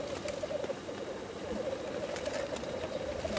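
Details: Black grouse bubbling during a lek display: an unbroken, rolling, dove-like coo held at a steady pitch across the whole stretch, with light clicking sounds around it.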